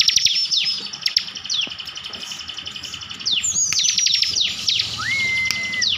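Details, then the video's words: Rapid 'tembakan' song of a kept Bar-winged prinia from Slawi, Tegal, Central Java: dense high-pitched stuttering trills with sharp falling slurs, ending with a rising then steady whistled note. "ciblek gacor full tembakan || ciblek gacor mantap...."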